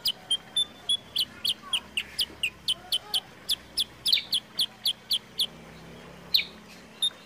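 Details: A sooty-headed bulbul (kutilang sutra), a kept songbird, gives a fast run of sharp, bright chips, about four a second, with a faint low hum underneath.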